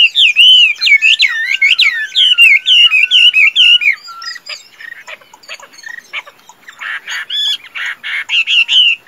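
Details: Caged tame Chinese hwamei, noted as a good singer and fighter, opens with bold looping whistles, swooping and repeated. These give way to dry clicks, then short bright whistled bursts return near the end.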